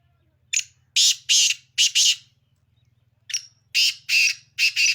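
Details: Black francolin of the Sindhi kind calling its rasping phrase twice, each a run of five harsh, buzzy bursts in quick rhythm, with a steady low hum throughout.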